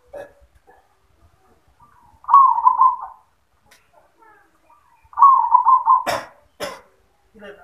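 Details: Zebra dove in yoman-style song, giving two short bursts of rapid bubbling coos about three seconds apart, followed by sharp clicks and human voices nearby.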